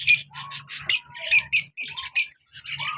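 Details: Pet lovebirds, a colour male and black mask female pair, giving rapid piercing chirps and squeaks in quick bursts, a few lower whistled notes slipping in between.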